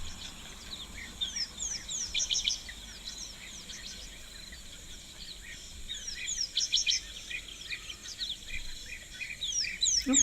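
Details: European Bee-eaters at an African waterhole on 12 March 2025 give a steady stream of short, liquid, rolling 'prruip' notes from several birds at once; a Green-backed Camaroptera may call faintly from a thicket nearby.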